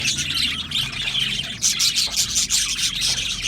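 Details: Colony of Australian budgies in an aviary chattering together, a dense wash of high chirps and squeaky warbles with a brief louder burst of notes midway.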